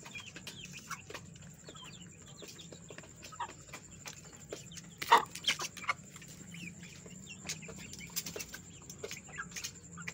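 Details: Young chicken chicks, a freshly added batch, fighting among themselves: irregular high cheeps come in quick bursts between pecking taps, with one loud scuffle midway and a steady thin background whine.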